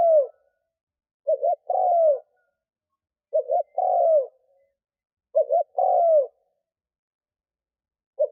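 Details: Decoy spotted dove calling wild doves in: the tail of one coo, then three full phrases, each a short double note and a long descending coo, repeated roughly every two seconds, with a fourth just beginning.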